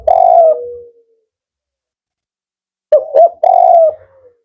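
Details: Male spotted dove, called 'Kuk 4' for its firm, rhythmic voice; a long falling coo trails off, then after a silence a phrase of two short notes and a sustained coo.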